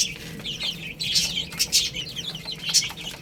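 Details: Brief stretch of baby chickens eating rice, many high-pitched chirps crowding together, several loud sharp peeps between one and three seconds, with clicking pecks underneath.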